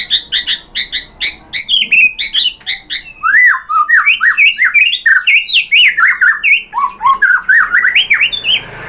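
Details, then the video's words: White-rumped shama song played to provoke a caged shama into answering, a fast varied stream of loud whistled and slurred notes, rising and falling phrases, harsh squawky elements early, continuous and energetic with brief pauses. "pancingan MURAI batu bikin EMOSI NYAUT GACOR BONGKAR MATERI ¦ SHAMA BIRD"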